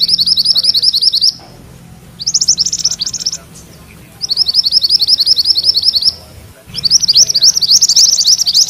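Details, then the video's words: High, rapid chattering trills from a mantenan kuning songbird in its rolling ngerol style, used to train magpie-robins. The notes come in four short bursts with short silent gaps between them. "Suara MANTENAN KUNING ngerol"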